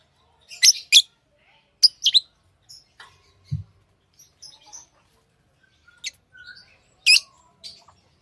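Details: Tamed lovebirds giving scattered shrill chirps, some in close pairs, with soft high twitters and a single low thump partway through. The pauses between them are otherwise quiet.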